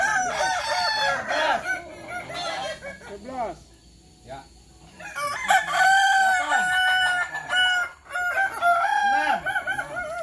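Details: Overlapping crows of Kukuak Balenggek roosters at a training contest in Sawah Lunto. Long, rippling, multi-part crowing opens the clip, and after a quiet spell near four seconds, steady, wavering crows return until the end.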